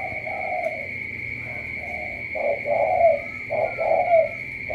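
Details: Spotted dove from Cà Mau giving low, hollow coos, faint and drawn out at first, then a louder run of paired, slightly rising notes about every half second, over a steady high electronic whine.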